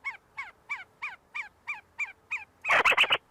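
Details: See-see partridges from a flock feeding and fighting on the University of Sulaimani campus, Kurdistan: eight clear, downward-slurred whistled notes, evenly spaced about every 0.3 seconds, then a loud burst of harsh, noisy calling at the end.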